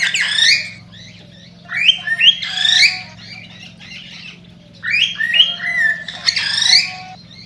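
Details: Cockatiel singing to stimulate breeding: bursts of loud squawky, warbling phrases with rising and falling whistled notes, grouped in three phrases over seven seconds, with a steady low hum beneath.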